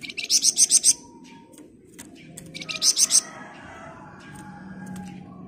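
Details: Master recording of a flamboyan bird for training caged birds, 'ngebren rapat' style: a quick series of shrill, stuttered high notes, then a shorter burst, over steady low background noise.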